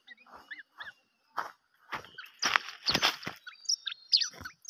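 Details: White-rumped shama: short whistled notes, some rising, scattered between loud broadband clattering bursts, with a few high thin chirps near the end.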